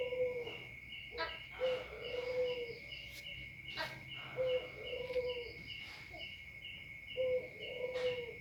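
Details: Spotted dove cooing in repeated low phrases, each ending in a long, slightly rough coo, behind a constant high pulsing drone and scattered clicks and crackles.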